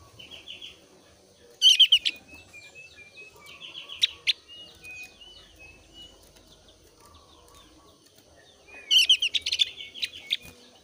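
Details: Javan grey-throated white-eye, thin-browed 'opior Jawa alis tipis' form, in breeding condition, singing to lure other white-eyes into song: two loud bursts of rapid high twittering, between them thin whistled notes and softer chatter.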